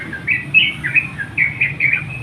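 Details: Sooty-headed bulbul calling a rival: a few short, lively chirped notes in two quick bursts, each rising and falling, over a low background murmur.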